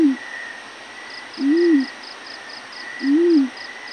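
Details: Yellow-breasted fruit dove giving its morning call, a deep soft hoot with an arched rise and fall, repeated about every one and a half seconds, three notes heard against pulsed insect chirps and a steady shrill hum.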